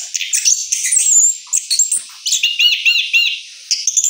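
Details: Orange-headed thrush after moult giving its rolling song: a dense run of high chirps, squeaks and slurred whistles, with rapid repeated arched notes near the end.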